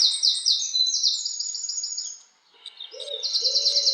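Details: House wren singing a long, very high, fast trill of repeated clipped notes that fades into a brief pause, then resumes, with a lower buzzy call from another bird near the end.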